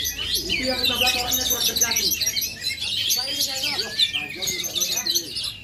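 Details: Oriental magpie-robin native to Aceh, Indonesia, singing a dense, rapid run of varied whistles, slurred notes and short trills high in pitch, with human voices talking underneath throughout.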